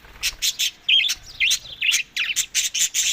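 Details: Budgerigars eating in summer, May to June, in Larkana, Sindh, calling in separate sharp chirps, some with quick rising and falling inflections, spaced by short pauses.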